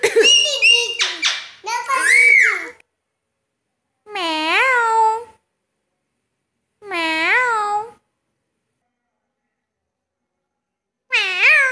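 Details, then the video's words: A pet talking Alexandrine parakeet playing with the family gives speech-like, wavering harmonic phrases, a busy burst at first, then single drawn-out calls about every three seconds in a quiet room. "Indian alexandrian patrot.... bolane wale Tote"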